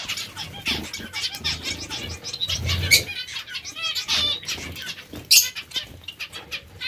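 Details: Short nasal beeping calls from zebra finches feeding on vegetables come in irregular runs, with a whirr of wing flapping near the middle and a sharp clatter toward the end.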